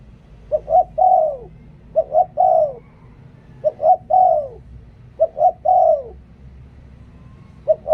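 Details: Decoy spotted dove singing a steady series of three-part coos. Each phrase has two quick short notes, then a long mellow note sliding downward. About four phrases come at roughly one-and-a-half-second intervals against a faint low rumble.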